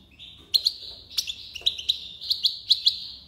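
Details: European goldfinch, known locally as maknine, in tiwawati-style song: a sustained high twittering tone punctuated by crisp, bright clicks repeated roughly every quarter second.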